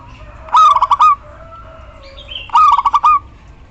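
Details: Female local zebra dove calling the male, used as a lure for males that stop singing: two short cooing phrases two seconds apart, each a rapid run of stuttering pulsed notes ending in a slightly longer coo, over quiet low background hum.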